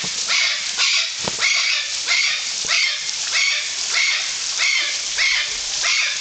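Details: At Parque das Aves in Foz do Iguaçu, Brazil, golden conures call with coarse, scratchy shrieks repeated evenly about every 0.6 seconds, around ten in a row.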